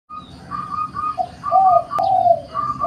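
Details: Zebra dove song: soft, mellow cooing notes. Higher short hoots alternate with lower, slightly falling coos in a quick, uneven sequence over a faint low background hum.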